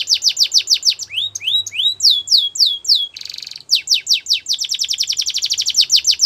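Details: Singing Russian canary delivering fast repeated downward-slurred whistles, a few deeper slurred notes, a brief buzzy roll, then an accelerating run of crisp chipping notes.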